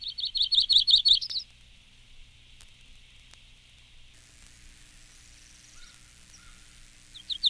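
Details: Myrtle Warbler (Yellow-rumped Warbler, Setophaga coronata coronata) song, one of eight song examples: a quick, loose trill of about eight sweet, high notes over a second, then a pause before another trill begins.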